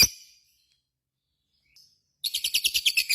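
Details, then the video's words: Lovebird heard as one harsh shriek and a faint chirp, then after a pause a burst of rapid, rattling ngekek chatter with notes about ten per second. "SUARA BURUNG LOVEBIRD GACOR,Jago Ngekek Bikin Lovebird Apapun Langsung Ikutan Nyaut Ngekek Koekk"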